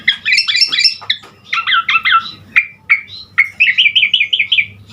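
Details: Lively Asian pied starling song stuffed with imitations, used as a lure to get starlings singing: dense twittering bursts, scattered chips, then a rapid trilled run of bouncing whistled notes, with a faint hum underneath.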